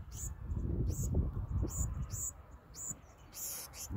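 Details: Black-throated sparrows being fed, food passed from hand to beak to beak: thin, very high-pitched begging notes in short bursts about twice a second, over steady low rumbling noise.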